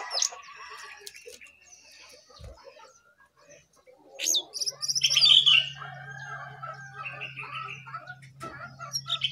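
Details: Perched on top of its cage, a jongkangan delivers scattered high chirps, then a louder chattering, warbled burst of song, with a low steady hum in the background.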